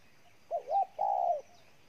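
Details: A wild-caught spotted dove gives one brief, intense cooing phrase: two short, rounded notes followed by a longer, level coo.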